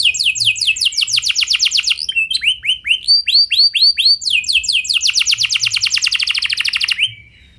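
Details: Canary singing a clear rolling song to prompt others to join: rapid downswept trill, a run of slower arched whistled notes, then a long dense trill fading out.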